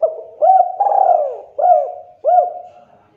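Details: Spotted dove cooing to provoke other doves into answering: mellow low coos with upswept starts, one long drawn note, about four phrases in three seconds, no other sounds.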